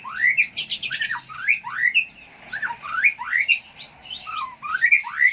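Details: Konin lovebird from Jambi, Indonesia, giving harsh rising squeaks, each sweeping sharply upward then dropping, repeated roughly twice a second with raspy, buzzy chatter layered between them.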